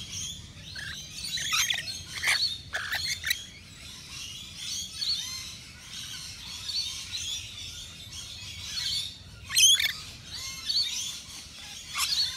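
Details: Rainbow lorikeets, Australian natives, gathered at a balcony feeder serving nectar mix; a continuous busy chorus of high twittering with frequent sharp screeches and squawks throughout.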